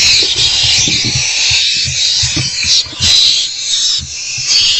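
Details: Owls in a nest box while rodents are delivered in the evening, late March 2024. A continuous rough hiss runs through the recording, with scattered low knocks and shuffling sounds beneath it.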